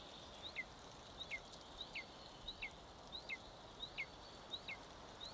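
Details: One-month-old golden eagle chick feeding at a nest in Estonia on 25 May 2022, filmed by live cam: thin, high whistled calls, each sliding sharply downward, repeated roughly every 0.6 seconds in a steady run of about nine.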